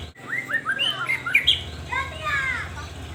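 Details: Energetic white-rumped shama song used as a lure to raise breeding drive: a quick string of clear whistled slurs and rising notes, with a low background hum throughout.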